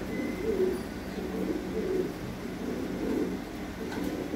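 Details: Domestic fancy pigeons, breeding pairs on a pigeon farm, giving low gurgling coos in a continuous run of phrases, with an even mechanical hum underneath.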